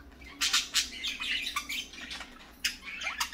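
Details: Several parakeets in the morning chatter in quick, scratchy, high chirps and squawks. Bursts come every half second or so, with a faint low hum underneath.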